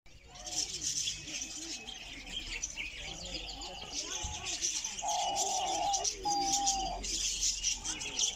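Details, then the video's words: Diamond dove calling, filmed in close-up in North Rhine-Westphalia, Germany: soft, steady, level coos, the clearest two drawn out in the later half, over a constant high hiss of chirping and rustle. "Diamanttäubchen ruft"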